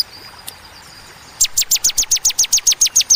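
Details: After a near-silent start, a bar-winged prinia bursts into about a dozen loud, piercing downslurred chips at an even, rapid pace, in the sharp 'tembakan' style.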